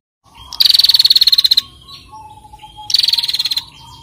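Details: Female bar-winged prinia producing two fast, buzzy, stuttering trills, the first about a second long and the second shorter, with a thin whistle between, in ngetir calling style.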